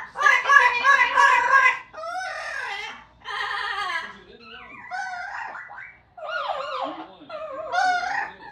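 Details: Amazon parrots singing, talking and making noise, copying opera, police sirens and a Pac-Man death sound; a loud raspy squawking burst, then a series of wavering, looping whistled phrases broken by brief silences.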